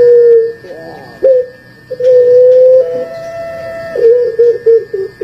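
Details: Barbary dove, a puter pelung described as hoarse and fearsome sounding, giving a broken series of held coo notes, one stepping briefly higher, ending in short clipped notes, with a faint steady hum in the background.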